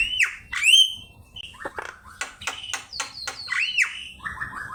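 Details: Javan myna in lively song, meant as a teaching master for cage birds: clear upswept whistles, then rapid harsh clicks and chatters, ending in a rising whistle and a short stuttered trill.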